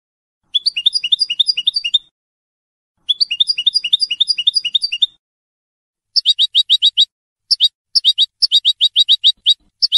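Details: Goldfinch hybrid bred in 2022, a coloured bird with a big white bib nearing the end of its first moult, kept in a cage: two rapid descending trill bursts, then a run of sharp, evenly repeated high notes.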